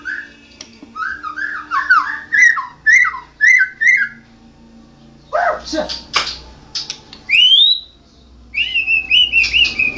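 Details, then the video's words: White-rumped shama, a national champion bird, pours out a series of short rising and falling whistled notes in rapid runs, then rasping chatter and a long upward-sliding whistle followed by repeated bright notes. "Burung Murai Batu Juara nasional murai batu ngoceh ngerol gacor"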